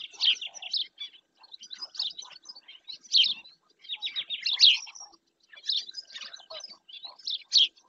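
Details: Black-winged stilt in Doñana National Park, Spain, picked up by a remote camera: bursts of harsh, high, yelping chatter come in tight clusters roughly every second, with brief quiet gaps between bursts and several overlapping callers.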